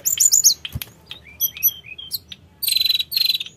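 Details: Sooty-headed bulbul (tledekan gunung) singing to coax untrained birds into answering; quick high chips, scattered short whistles and closing runs of rapid buzzy trills, with a single click.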